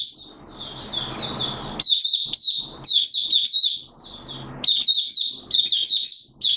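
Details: Oriental white-eye from Malaysia, a hobbyist's songbird in 'buka sing' open song, Singapore, 29 March 2023, warm humid weather: soft twitters swelling into loud, fast, high chattering phrases.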